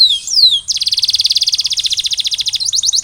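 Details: Canary singing to stimulate silent birds: two falling whistled slurs open, then a long, loud, very fast rolling trill of evenly spaced pulses, ending with a few quicker high notes.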